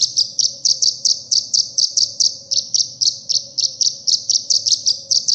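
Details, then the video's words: Olive-backed sunbird (kolibri ninja) song used as a training recording for caged birds: high, sharp chirps repeated steadily about four per second throughout, with a faint low steady hum behind. "suara isian burung kolibri"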